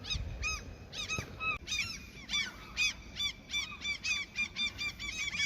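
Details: A crowd of seagulls, fed as a peace offering in their territory, keeps up dense overlapping yelping calls, many per second, shrill and arched, against faint low noise.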